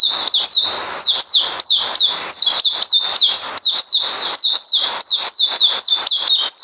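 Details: Sharp, high-pitched whistled song recorded 9 December 2018, made of rapid falling notes repeated in a steady, unbroken rhythm for nearly seven seconds.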